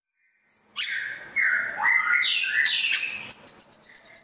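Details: White-rumped shama, an Asian bird, opening with a faint high note, then rich warbled phrases and slides, ending in a quick series of thin high piping notes.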